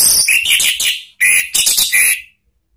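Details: Orange-headed thrush (anis merah), a 'ngeplong' and 'ngeriwik' style lure song for training cage birds: two bursts of bright, high chirping phrases with tonal mid-pitched notes, separated by a short pause.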